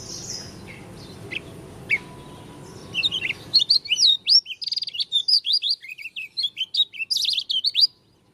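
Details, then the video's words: Unusual song of an Oriental white-eye, dakun type from Lombok: a few faint notes, then a lively four-second stream of high, twittering, rapidly alternating chirps and slurs, fairly regular and clean. "Pleci dakun lombok suara aneh"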